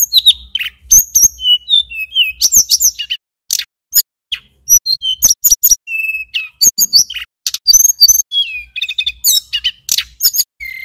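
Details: Mountain tailorbird male from Banyuwangi in full, lively song: a dense, continuous stream of high twittering notes, quick upslurs and short level whistles, barely pausing across the stretch.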